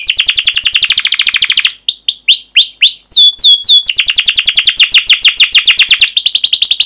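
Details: Domestic canary singing a long, energetic song with sharp 'cuit cuit' chirps and rolls, played to stimulate young birds to sing: rapid trill, then slower swooping whistled notes, then a dense fast roll to the end.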